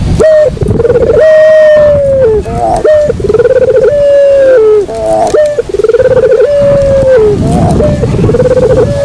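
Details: Lure call of a Barbary dove, repeated as a series of long, level, slightly arching coos. Each coo is joined by quick rolling pulses, and the phrases recur about every two seconds with short gaps.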